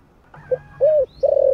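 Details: Brief fragment from a deep 'thổ'-voiced spotted dove kept for stirring wild-caught birds: a clipped note, a smooth level coo, then the start of a long throbbing coo. A faint high chirp and a low hum sound beneath it.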